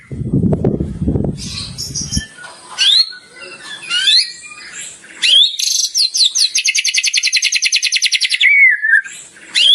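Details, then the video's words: White-rumped shama displaying luxurious borrowed phrases for caged birds to learn: low noise at first, then scattered high whistled slurs and a quick buzzy rattle of very high repeated notes. "masteran burung murai batu gacor bongkar isian mewah"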